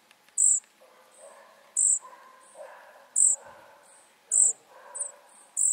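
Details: Flycatcher nestlings begging: short, very high, hissy bursts near the top of the range repeated roughly every second, with softer lower rustling between them.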